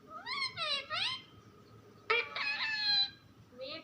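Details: Parrot talking at home: three rising-falling nasal syllables, a pause, then a harsh, sudden buzzy burst and a final short rising call.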